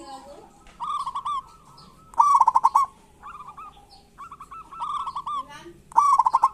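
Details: Vigorous local zebra dove song in kerot and bekur style, used to coax shy doves. Burbling trilled coos from several birds overlap, with the loudest, stuttering phrases near the start and end.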